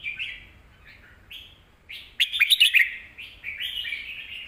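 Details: Loud teaching song of a Red-whiskered bulbul for young birds: brief whistled notes at first, then a louder run of warbling phrases with quick crackling clicks, ending in sustained fluty warbles.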